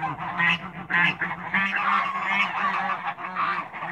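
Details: African and Toulouse domestic geese meeting other birds in a backyard, a flock honking together in loud, overlapping nasal calls that rise and fall continuously, with no pauses, several birds calling at once.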